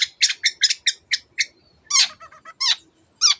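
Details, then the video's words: Long-tailed shrike in full 'teot teot' song, used as a lure to excite other birds into singing: a burst of rapid harsh, buzzy squawks, then louder rasping notes with short clicks between, in a small room. "cendet gacor teot teot jadikan burung anda cepat emosi dan ikut gacor"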